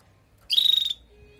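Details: Short buzzy trilled call of a female canary, given to prepare and stimulate the male after moulting: a single rapid rattling note lasting about half a second, in quiet surroundings.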